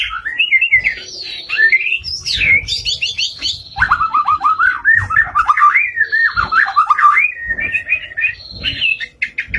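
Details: White-rumped shama in full, continuous song: loud fast whistled phrases that sweep up and down, with sharp high notes and a rapid wavering run, delivered without pause, with faint low knocks behind.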